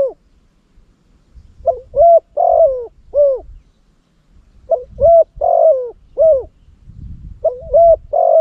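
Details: Caged decoy spotted dove from Cambodia, used to lure wild doves and noted for its big, loud voice. It gives three cooing phrases of about four mellow, slightly hoarse notes each, roughly every three seconds, over a faint low rumble.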